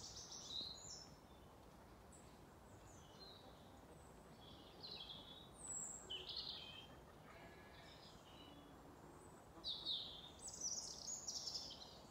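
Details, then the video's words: European robin singing at an autumn dawn around farm yards in County Kilkenny, Ireland, where many robins sing each morning: short, high, thin warbling phrases of a second or two with pauses, over steady hiss. "Around the yards we have so many robins who sing their hearts out to welcome each day."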